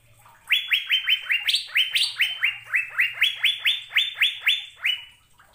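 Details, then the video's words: ['Vigorous Asian fairy-bluebird song used as a master recording for caged birds: a long, rapid sequence of about fifteen clear upslurred whistles, a pair of higher notes early in the run.'] "BURUNG CUCAK BIRU GACOR MP3 BARU 2022"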